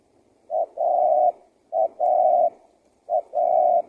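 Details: Luring call of a spotted dove for attracting wild doves and prompting them to call: three phrases just over a second apart, each a short coo then a longer steady one. The background is quiet.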